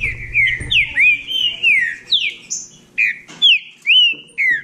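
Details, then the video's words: Green-winged saltator from Bahia singing in a contest: rich whistled phrases of short slurred notes, many falling, repeated about twice a second with brief pauses, and low background rumble at the start. "Trinca ferro da Bahia disputando"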